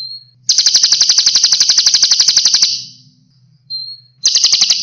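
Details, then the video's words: A sunbird, called kolibri konin Eropa, sings for cage-bird training: a short thin whistle leads into a loud, dry, buzzing rattle of evenly spaced notes. Another whistle and rattle follow, with a low hum behind. "MASTERAN PALING VIRAL - KOLIBRI KONIN EROPA TERBAIK"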